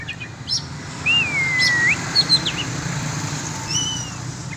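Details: Slurred whistles from an oriental magpie-robin being let out to fly free for sport training: a rising-falling whistle, then scattered short high notes, over a broad background roar like traffic.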